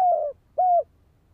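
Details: Spotted dove used as a decoy for luring and training birds: two low, smooth coo notes, the second slightly longer, steady in pitch, separated by a short pause, with a quiet background.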